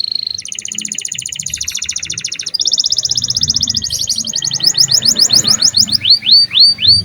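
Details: An energetic canary sings as a training lure for juveniles: long, even, rattling trills shift pitch, speed up into clipped notes, then end in looping rising whistles.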